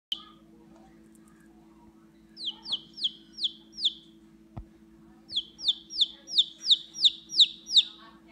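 A chickadee gives two runs of sharp, downward-slurred notes, five then eight, about three per second, over a steady low mechanical hum.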